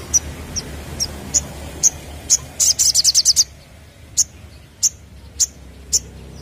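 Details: Crested jay lure sound with evenly spaced sharp high chips about every half second, broken in the middle by a fast, loud rattle of clicks, then the spaced chips resume.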